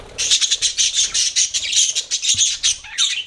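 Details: Budgie chirping in quick, evenly pulsed squeaky notes, about three or four per second, a steady high chatter.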